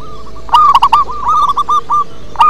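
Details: Local zebra dove in deep-voiced song, a fast rolling series of about ten short hooked coos at one pitch, the first few loud and rich, the rest softer, with a fresh strong note at the close.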